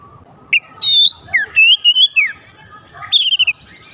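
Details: Kacer, or magpie-robin, song meant to set other magpie-robins singing. Sharp whistled notes, a buzzy burst and descending slurs lead into a short, fast trill of repeated high notes.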